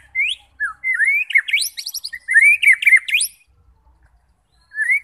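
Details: White-rumped shama song to provoke fighting birds: upslurred whistles and rapid scratchy chattering phrases, then a pause and one more rising whistle.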